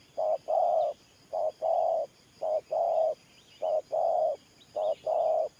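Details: Decoy spotted dove giving its gù coo, voice type thổ pha nước: five evenly spaced doublets of a brief low note followed by a drawn-out hollow coo, faint bird twitters in the background.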